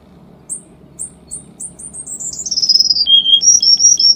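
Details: Cuban bullfinch song delivered in tight, rapid bursts: spaced high chirps accelerating into a descending trill, then a lower whistle and quick high repeated notes, over faint low background hum.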